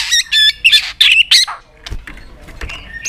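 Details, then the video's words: White-rumped shama fighting-style song for rousing trained birds: a burst of harsh, buzzy chattering notes and rasping phrases in rapid succession, fading into softer scattered clicks and a faint whistle. "Kích Chòe lửa Lên Lửa, hót nhiều, chòe lửa đánh đuôi kích cực nhạy.luyện chòe lửa hót nhiều giọng"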